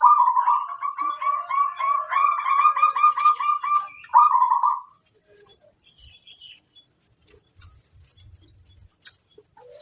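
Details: A local zebra dove, kept as a master singer, delivers a long run of rapid bubbling coo notes, then a rolling trilled phrase, followed by quieter ticking and a high whine.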